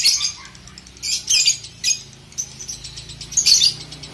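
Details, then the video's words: Lovebird ngekek chatter, used as training audio for young birds: short, harsh, high-pitched bursts about every half second to second, separated by quiet gaps. "terapi ngetik,ngekek lovebird balibu"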